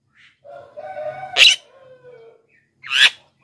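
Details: Black-winged myna (jalak kebo) recording used as a lure and singing model: a faint drawn-out tonal note, then two sharp harsh squawks about one and a half seconds apart.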